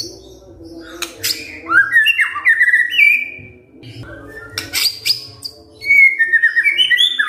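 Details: White-rumped shama in kretekan fighter style, intended to prompt a silent shama to reply: sharp clicks followed by runs of stepped, descending whistles, with a second whistled run near the end.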